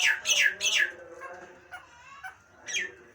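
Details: Nias hill myna: three loud, grating squawks dropping in pitch, a lull of faint notes, then one more harsh squawk.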